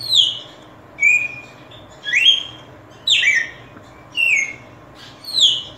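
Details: A red-cowled cardinal sings a series of rich whistles, alternating rising and falling slurs spaced about a second apart. A faint low hum runs in the background.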